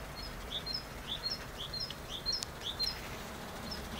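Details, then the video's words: Song of a great tit: sharp, whistled pairs of notes stepping down from high to lower pitch, repeated rhythmically throughout over soft background hiss. "Chant de Mésange charbonnière Parus major Great Tit"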